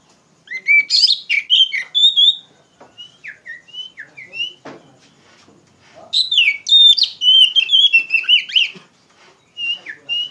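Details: Kacer, or Oriental magpie-robin, in loud, full ngeplong song meant to tutor untrained poci birds: two dense bursts of fast, warbled, high notes separated by a string of short sliding whistles.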